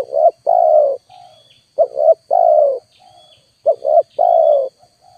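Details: Spotted dove calling as a lure for wild doves: a phrase of two quick coos followed by one long, slightly falling coo, repeated about every two seconds, with soft brief notes in the gaps.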